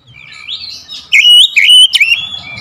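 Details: Oriental magpie-robin lure song: a soft rising warble leads into loud clear whistled notes, wavering and slurred, with a short sharp click in between.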